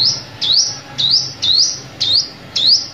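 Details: Sunbird calls used as a lure for glue-stick trapping: sharp, high, upward-sweeping chirps, each a quick rising whistle with a bright top, repeated about every half second in a steady series of six, with a faint low hum underneath.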